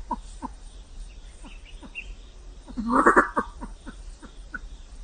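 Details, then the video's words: Faint, steady clucking from a Vietnamese pheasant against background hiss, broken midway by a louder, gruff churring burst. "Tiếng Gà lôi trắng kêu - white pheasant sound"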